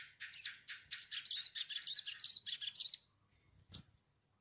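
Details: Crimson sunbird song used as a lure to get a young bird singing: a rapid, high-pitched twittering run of about two dozen squeaky notes over three seconds, then one sharp chip, in an otherwise quiet setting.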